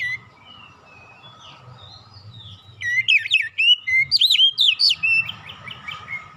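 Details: Relaxed Oriental magpie-robin song, played as a lure to prompt other birds to sing. Soft distant notes give way to a loud two-second run of varied, looping whistles rising and falling, with a quieter trailing phrase.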